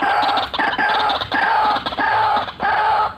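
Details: White-breasted waterhen in full, energetic calling in a cackling, rolling style: harsh, nasal croaks repeated roughly every half second, each rich in harmonics and steady in pitch, with little else audible.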